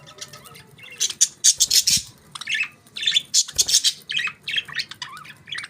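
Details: Pet budgerigars chirping: a busy stream of warbled, squeaky and scratchy chatter notes in rapid overlapping bursts, high-pitched and continuous with brief gaps, several birds sounding together.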